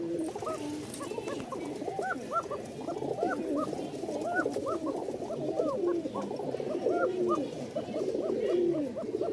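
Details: Rajshahi Giribaz pigeons, a batch of over 120 newly arrived from Rajshahi at the Mirpur-1 pigeon market, giving their thin call: many overlapping soft, rounded, bouncing coos repeated in quick succession, with a brief man's voice.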